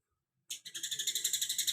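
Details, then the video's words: Cucak kinoi singing in a tight 'tembakan greja' style: a fast, even, buzzy trill of sharp high notes, about eleven pulses a second, starting abruptly after a short silence. "cucak kinoi tembakan greja rapet"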